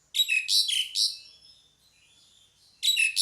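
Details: Loud pied myna call: a rapid string of four rasping, buzzy notes with falling whistled tails, then a quiet gap of soft scratchy sounds before another harsh burst begins.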